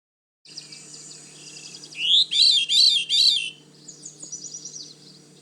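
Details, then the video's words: A Veery, a long-distance migrant breeding in the damp, swampy cedar-swamp woodland of Manchester Cedar Swamp Preserve, New Hampshire, sings a metallic, ringing whirl of three spiralling notes drifting slightly downward, with soft bird calls and a low hum behind. "The Veery song sounds like a metallic whirl that descends slightly in pitch."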